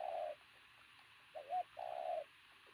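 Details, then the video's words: Pigeon of strong, athletic build giving a loud coo: a long low cooing note, then a short dipping note and another long steady coo, with quiet gaps between them. "bồ câu tướng lực sĩ,,Gù âm to cực tốt"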